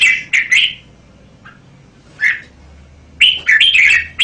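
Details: A caged red-whiskered bulbul opens with quick, bright chirps, pauses, adds a single note, then delivers a lively warbled phrase of tumbling whistles.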